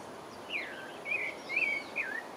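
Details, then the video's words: Pale-breasted thrush in French Guiana giving a few fluty, curving whistled phrases over a short stretch, with steady hiss behind. "Pale-breasted thrush (Turdus leucomelas) - singing"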